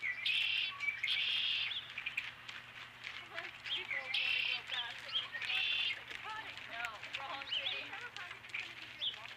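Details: Osprey at its nest at Dunrovin Ranch with a fish, 12 April 2017, around 5:51 PM; loud, high, shrill chirping calls in rapid bursts, about five strong series over nine seconds, with fainter chirps between and a steady low hum.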